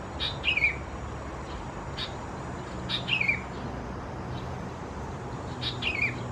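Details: Sooty-headed Bulbul chicks (Pycnonotus aurigaster thais) at Khao Yoi in Phetchaburi province, Thailand, in June 2020: three thin, falling chirps roughly every two and a half seconds, each with soft clicks, against constant background hiss.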